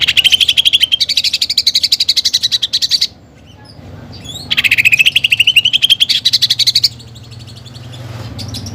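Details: Greater green leafbird in full song filled with fighting-sparrow and pelatuk bawang mimicry: two long machine-gun-like pulsed trills, each rising gradually in pitch and lasting about two to three seconds, with a quiet gap between.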